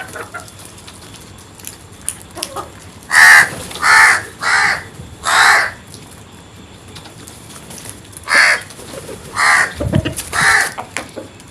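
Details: Crows calling outdoors: a run of four harsh, broad caws about every half second, a pause, then three more spaced caws, over faint background chatter and rustling.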